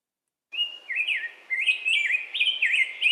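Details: Rose-breasted Grosbeak, a migrant that stays to nest in summer, sings a fast run of sweet, rising and falling whistled phrases, like a very chatty robin, with no other sounds.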